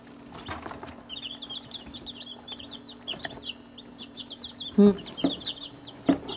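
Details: Chicks of mixed breeds (barred rocks, silver laced wyandottes, blue copper marans, Isa reds), eighteen in a box, about one to ten days old, recorded by a camcorder inside; steady high peeps over a low hum, with thumps and knocks.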